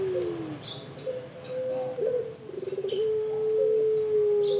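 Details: Cooing ringneck dove gives a low falling note, then a level coo, a quick rolling stutter of pulses and a long drawn-out steady coo, while small birds chip and tweet faintly in the background.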